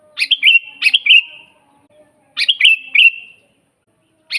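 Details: Sooty-headed bulbul in vigorous song, used to train rarely singing bulbuls and lure wild ones: two longer phrases, each of three bubbly whistled notes, about two seconds apart, and a third phrase starting at the end.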